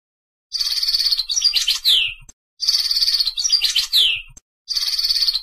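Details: One named European goldfinch song note repeated three times: a buzzy, tinkling sustained note followed by a quick descending twitter, each repeat about two seconds apart.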